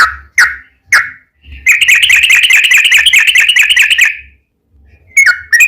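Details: Yellow-vented bulbul in full song, played as a lure to provoke other bulbuls: a few separate whistled notes, then a two-and-a-half-second rapid bubbling trill, then more single notes.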